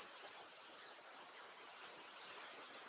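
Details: Several cedar waxwings at Léon Provancher marsh give their soft song: very high, thin, lisping whistles, a short one then a longer drawn-out hiss about a second in, over faint background hiss.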